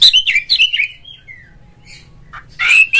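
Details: Oriental magpie-robin calling to set other magpie-robins singing; several quick, slurred whistles descending in pitch, a drawn-out falling whistle, then a harsh buzzy note at the end.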